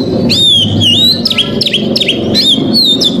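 An Oriental magpie-robin pours out loud, varied whistles, sweeping and slurred notes strung in quick phrases, strong and high throughout, over a faint low background hum.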